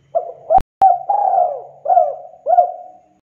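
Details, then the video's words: Spotted dove cooing energetically on a lure recording: a phrase of short hollow notes and one longer falling coo, broken by two sharp clicks near the start. "PANCINGAN DERUK DERKUKU GACOR MANGGUNG SUARA ENAK DI DENGAR"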